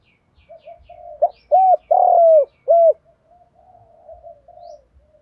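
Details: Spotted dove cooing in the lowland voice style, used to lure wild doves in: three loud, hollow, low coos in quick succession, framed by softer murmuring notes before and after.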